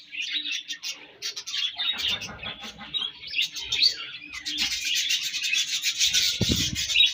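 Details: Several budgies chatter while feeding and passing food to one another, a busy stream of high, scratchy chirps and warbling notes with short sharp clicks, growing denser and louder toward the end, over a faint low hum.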